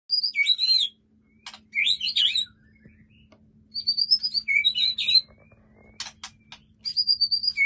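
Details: A captive white-rumped shama from a breeding setup sings a full varied 'isian' song. High whistled and warbled phrases come in bursts with short gaps, mixed with sharp clicks. A faint steady low hum runs underneath.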